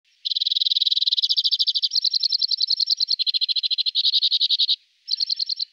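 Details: Two-barred crossbill filmed from a bird hide in Emmen, the Netherlands: a loud, fast, dry trill of buzzy notes, about ten per second, stepping up and down in pitch between sections, breaking off briefly near the end before resuming; otherwise quiet.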